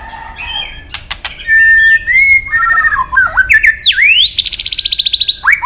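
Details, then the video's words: White-rumped shama in competitive song, long forest-style phrases: pure whistles at several pitches, sharp clicks, a steep downward swoop, then a fast rattling trill of evenly repeated notes and a final rising whistle. "chòe lửa đập đuôi nhấp cầu hót đấu giọng rừng dài"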